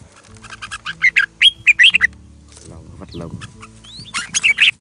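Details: A big-crested red-whiskered bulbul in a bamboo thicket sings loud, quick, bright whistled phrases of chirpy, warbling notes in two bursts, with a brief lower, buzzy sound between them.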